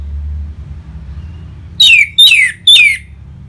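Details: Orange-headed thrush song played to stimulate caged birds: three clear whistles, each slurring downward, spaced about half a second apart, with a low rumble beneath.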